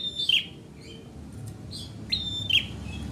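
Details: Bar-winged prinia, known locally as ciblek merah, singing vigorously: two short high phrases of a sharp whistled note sliding down into a bright chip, about two seconds apart, over a low rumbling background.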